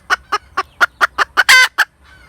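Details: Domestic hen cackle: about seven steady, clipped clucks, then one long, harsh, loud note and a final cluck.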